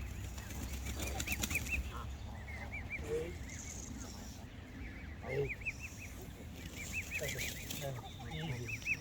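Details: Canada geese in their natural habitat by the water give scattered bursts of arched, nasal honks, several birds overlapping in short clusters with quieter gaps, over a low background rumble and faint wing flaps.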